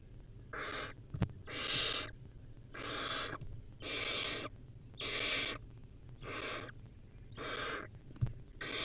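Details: Wild owlet barn owl at a nest cam feeding on a rodent, giving long harsh hissing screeches about a second long, repeated every second or so, with faint chirps between them.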